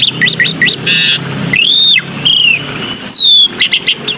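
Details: Short looping whistles and a brief buzz lead into long drawn-out arched whistles and a clear descending whistle from a black-winged myna, in a lure recording.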